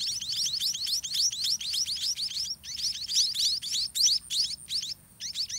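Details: Begging white-rumped munia nestlings fed by a parent, a continuous chatter of high rising chirps that briefly breaks off and resumes near the end.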